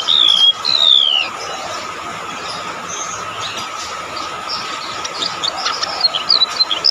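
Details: Golden-bellied gerygone, described as a shrill, lively singer, gives high, thin, whistled notes that slide downward in two drawn-out phrases, then fainter sweeping notes later, over a steady tonal hum.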